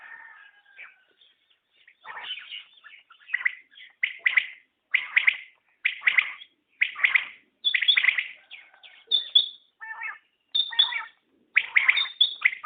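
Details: {'caption': 'Common quail calling, soft and hesitant at first, then building into regular bright three-note bursts with brief high whistled notes.'}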